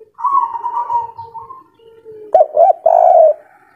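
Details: Local Indonesian spotted dove singing the three-note kuk 3 style, recorded as a natural lure sound while the bird is in full breeding excitement: a long wavering coo drifting lower, then loud short coo notes.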